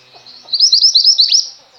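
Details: Female mountain-type white-eye (pleci, mantenan gunung) singing in lively fashion. A burst of rapid, high, twittering notes, each a quick down-slurred chirp, strung together for about a second before falling quiet.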